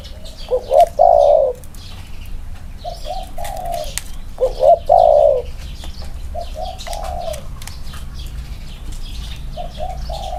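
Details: Spotted doves, two birds in Thailand compared side by side for their cooing: two loud, rolling coo phrases about four seconds apart, each followed by softer trailing coos, with light chirping of other birds in the background.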